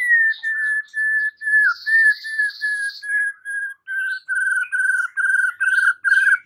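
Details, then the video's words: White-rumped shama presented as a lure to make a silent shama answer and sing boldly; clear whistled notes near one pitch repeated steadily about twice a second, with faint higher overtones and a brief buzzy patch. "Murai batu BISU diJAMIN NYAUT GACOR dan FIGHTER"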